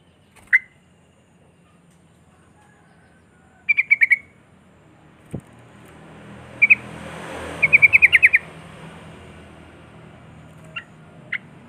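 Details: Sooty-headed bulbul voice meant to stimulate other bulbuls to sing: scattered sharp whistled chips, a short triple burst, then a quick run of about seven rapid notes, with a vehicle passing mid-way and a low hum throughout.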